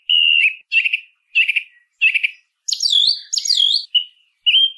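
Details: Song thrush singing: a clear whistled phrase repeated four times, then two intricate, high, twisting phrases and two closing short whistles, with clean silence between phrases.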